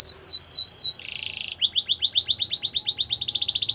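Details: A canary sings for training: a few loud drooping whistles, a soft buzzy rattle, then fast paired notes rolling in a quick, even rhythm to the end.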